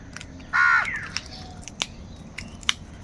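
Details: Angry crow giving a single harsh, buzzy caw lasting about a third of a second, while crows fight over food; soft clicks and faint taps scattered around it.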